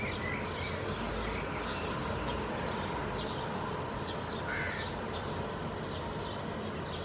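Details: A Hooded crow fledgling with its parent in a Helsinki park in June 2022; the fledgling gestures at the parent and is fed. Short, hoarse, rasping calls in quick succession, one louder caw near the end, over a low rumble.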